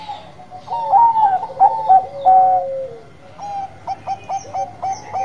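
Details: Vigorous song from Bangkok-type zebra doves: loud rising and falling coos with a sliding trill, followed by an evenly spaced string of short staccato coos about five times a second, faint chirps above.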